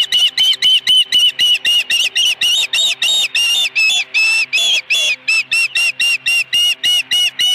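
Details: Osprey on its ranch nest with a live fish, afternoon of 26 May 2020: quick repeated high whistles, some notes drawn out and slightly longer, in a continuous excited series.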